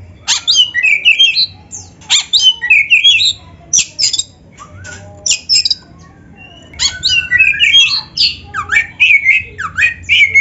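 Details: Kacer (Oriental magpie-robin) in full narung song for tutoring beginners and birds slow to sing: rapid harsh chattering phrases with whistled twists, repeated in clusters separated by short quieter spells.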